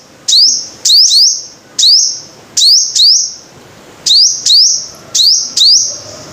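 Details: High sliding whistles from a five-coloured sunbird, often delivered in quick doublets, each note sweeping upward and then holding a shrill steady pitch, with brief silent pauses between groups.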